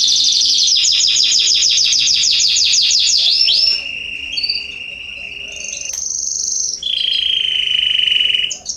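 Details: Canary singing in a garden, September 2020: fast repeated notes give way to sustained pure whistled tones at differing pitches, separated by short pauses.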